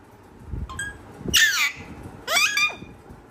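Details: Pet parrot calling in two bursts of harsh, harmonic squawks with sweeping, falling tones, separated by a short pause and preceded by a soft click.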